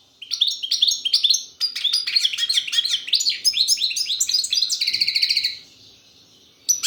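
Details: European goldfinch singing in the style called кокил песса: a fast, twittering run of bright chirps and short sweeping notes, ending in a dense buzzy trill before a pause and one last note.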